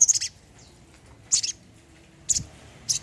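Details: Olive-backed sunbird, kept as a caged bird, giving short high buzzy chip bursts about one second apart, with low background hum.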